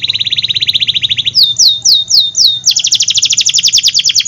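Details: AF-type canary in full song, used to lure hesitant and juvenile canaries: a rapid even trill, a few long swooping whistles, then a bright, dense, rapidly pulsing roll.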